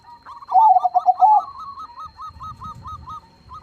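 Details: Crossbred zebra dove (perkutut) singing with a big, loud voice: a rapid rolling burst of bubbly coos, then a steady string of softer, evenly spaced short coo notes.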